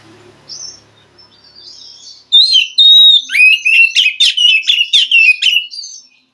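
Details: Wild white-rumped shama from the forest, singing in response to a captive bird reluctant to sing; faint soft notes, then a loud burst of whistled phrases with rapid harsh chattering notes repeated about twice a second.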